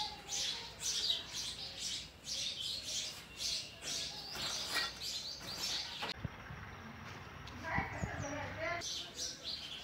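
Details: Sparrow parent feeding its chicks oversized food, the young begging with dense, shrill, repeated chirps for about six seconds, then a break of softer rustling and faint notes before the chirping resumes.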